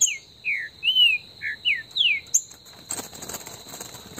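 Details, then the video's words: Green-winged saltator (trinca-ferro) singing a warm-up song in the woods in Brazil. A bird from a registered amateur breeder gives five or six clear, downslurred whistled notes in quick succession, then a short buzzy note, over a steady high insect whine. "ESQUENTA trinca ferro no MATO"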